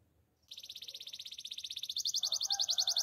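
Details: A male canary sings one long rapid trill of identical notes, about four per second, steady at first and then growing louder and brighter toward the end, with soft lower tones joining in.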